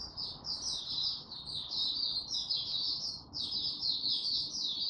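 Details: Maturing song from a young male white-eye, 9 February 2022: continuous high, thin twittering warble heard over steady background hiss.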